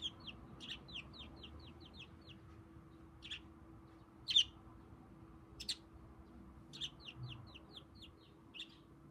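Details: Pet budgerigar, tame and perched on one leg, appearing to address its owner; quick strings of short downward-slurred chirps, about six in a rapid run, then scattered single sharper notes, with a constant low hum behind.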